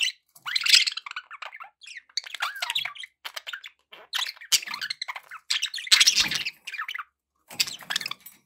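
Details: Pet budgerigars chattering indoors: dense bursts of scratchy chirps and warbled squawks, mostly high-pitched, in quick irregular runs with brief pauses, one louder rasping burst near the middle.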